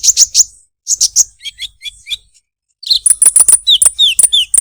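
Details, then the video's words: Olive-backed sunbird with a melodious 'krecek krecek' song: clusters of piercing high chirps, a few lower slurred notes, then a fast run of thin, sharp ticks and downslurred whistles. "burung konin kolibri ninja suara unik krecek krecek merdu"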